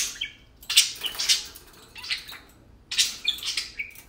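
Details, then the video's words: Tame pet parakeets talking while playing: two clusters of scratchy chirps and short whistles, separated by a quiet pause of about a second, ending in a brief level whistle. "Tame parakeets talking and playing"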